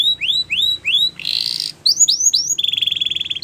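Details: Canary with rising whistled slurs, a short harsh buzzy burst, more rising sweeps, then a steady rapid trill on one pitch.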